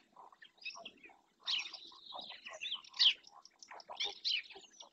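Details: Black-winged stilt in Doñana National Park, Spain, filmed by a wildlife camera: busy mix of short chirps and sharp calls in bursts, some squeaky notes rising high, with several overlapping voices and a faint low hum.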